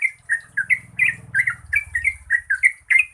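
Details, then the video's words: Yellow-vented bulbul giving a lure song in the 'gacor ropel panjang' style, used to prompt birds that sing little: bubbly, liquid chattering notes, about three per second, unbroken, over a low hum in the first half. "Pancingan Trucukan Gacor Ropel Panjang COCOK untuk BURUNG TRUCUK MALAS BUNYI"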